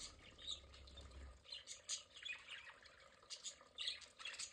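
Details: Several caged pet budgerigars enjoying their play area at home: quick, scratchy high chirps and squawks overlap in busy, irregular chatter, with a low rumble during the first second and a half.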